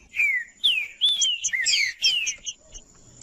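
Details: Loud green-winged saltator song meant to stimulate a cold bird to sing: clear whistled phrases that slide downward, rising briefly into a tangle of bright overlapping chirps before a final falling whistle.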